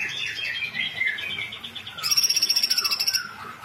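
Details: Female sooty-headed bulbul song: a fast run of high chirps and slurred notes, then a dense burst of rapid, evenly repeated sharp notes for about a second.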